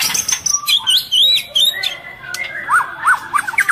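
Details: Female white-rumped shama in breeding condition feeding its young: high wavering whistled notes, then a few short rising-falling whistles repeated, over clicking noises; calls intended to excite males.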